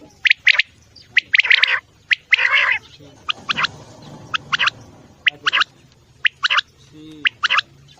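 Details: Repeated quail calls for night-time use in quail hunting: short, harsh chirping bursts, often doubled or in quick runs, recur about once a second against a quiet, low hum.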